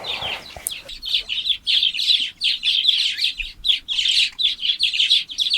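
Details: A colony of Black-headed Weavers at the Nanyukie River, eastern Serengeti, chatters nonstop in the late afternoon as dusk nears before roosting, many buzzy, sizzling voices overlapping in high, scratchy waves with hardly a pause.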